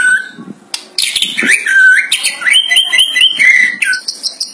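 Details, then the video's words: White-rumped shama singing a loud song said to include monkey-like sounds, used to lure other shamas: clear whistled notes sliding and stepping in pitch, mixed with sharp chattering bursts and high repeated chips. "NGERI murai batu bersuara kera Real 100 % MANTUL buat pancingan murai"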